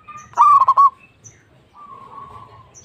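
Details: A local-strain zebra dove delivers one brief, loud phrase of four or five rapid bubbling coos, followed by a faint drawn-out tone and quiet background.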